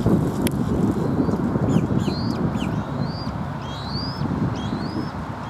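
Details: Eagle at a Southwest Florida nest on 1 April 2023, as the adult male brings a fish to a newly fledged young bird: a series of thin, high chirps, some falling and some rising, over steady rumbling wind and background noise.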